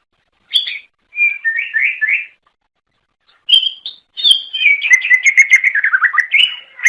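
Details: Cucak ijo, or greater green leafbird, singing to attract others of its kind; sharp note, a short warbled phrase, a pause, then a long rapid chattering run of descending slurred notes.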